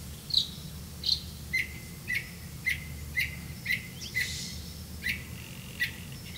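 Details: Red-vented bulbul catching crickets to feed its young: two high sharp notes, then a regular string of short clipped calls about every half second, fairly soft against a steady background.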